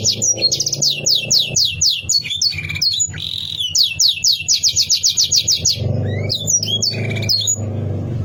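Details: Canary bait song intended to stir up rival birds: rapid repeated high trilled notes, a brief buzzy passage, then varied whistled chirps and sweeps, over a low humming background.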